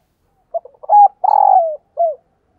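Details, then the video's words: Decoy spotted dove cooing to lure wild doves: a short low note, a clear steady coo, then a long rolling, buzzy coo that slides downward, ending with a brief falling coo. The background is quiet. "Tiếng Chim Cu Mồi gáy Mồi Gáy Gọi/ Bổi Nghe Siêng Gáy Và Nhanh Nổi"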